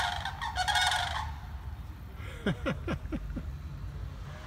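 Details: Four sandhill cranes standing on a small spit of land across from a house in the morning give a loud, rolling, rattling call for about a second, then five quick, lower, downward-sliding squeaks over faint rumble.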